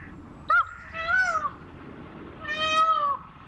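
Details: Peafowl from a gathered group cry out in drawn, nasal, meow-like wails. A sharp short note comes first, then two long harmonic calls that sag gently at their ends.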